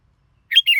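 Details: Red-whiskered bulbul giving a quick two-part whistled phrase, a loud rising note followed by a descending warbled slur, cut short at the end after a silent lead-in.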